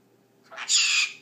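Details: Pet blue-crowned conure talking on demand when prompted by its owner: a short harsh, raspy utterance lasting about half a second, with the owner's voice coaxing before and after.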